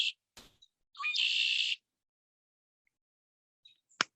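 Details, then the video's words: Red-winged Blackbird singing at Henry Cowell Redwoods State Park, California: a couple of short introductory notes, then a loud, buzzy, ringing trill lasting under a second, with a sharp click near the end. "that's a blackbird song that you're listening to, a red-winged blackbird."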